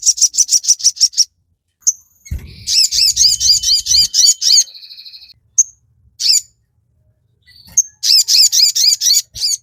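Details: Energetic crimson sunbird song meant to lure and teach captive birds; quick series of piercing high chirps, a dense run of sharp notes over low thumping noise, a short buzzy trill, then more rapid chirping.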